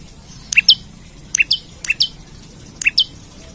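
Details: Olive-backed tailorbird calling loudly as if seeking a rival: four sharp two-note phrases about every 0.7 seconds, a clipped high note then a bright higher note slurring down, over a faint low hum.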